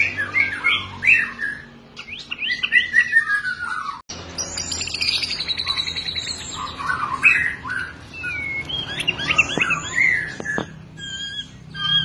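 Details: Fighting song of a white-rumped shama, full of mimicked phrases for training caged birds: varied whistled slurs rising and falling, brief buzzy passages and sharp high notes, with a short break near the middle.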